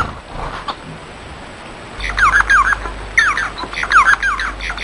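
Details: Song of a Bengalese finch starting after two quiet seconds: clusters of sharp, sliding chirps in rapid phrases against a constant low background hum.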